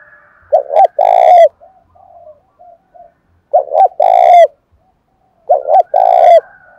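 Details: Spotted dove in the July rainy season, agitated toward a fight. Three bright, low coo phrases, each a stuttered start and then a drawn-out falling note, about every two and a half seconds, with a faint background whistle.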